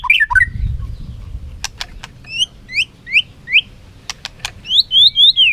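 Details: Competitive song of a white-rumped shama flicking its tail: spaced, sweet up-slurred whistles repeated in short bursts, mixed with sharp dry clicks and a faint low rumble at the start.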